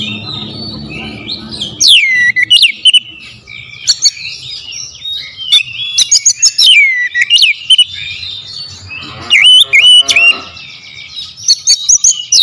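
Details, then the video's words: Oriental magpie-robin powerful lure song: varied loud whistles, steep up-and-down sweeps, sharp clicks and chattering bursts repeated across a long rich sequence, with a brief low hum and quieter gaps between phrases. "PANCINGAN KACER POWER JELAS TEMBAKAN PEDAS"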